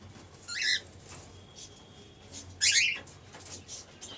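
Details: Cockatiel pair, with two brief harmonic squawks about two seconds apart over a steady hiss and low hum.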